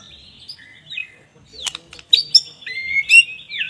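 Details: Murai batu, the white-rumped shama, sings loose whistled notes and then a denser stretch of sharp chirps and slurred whistles, some rising and falling, over faint background hum.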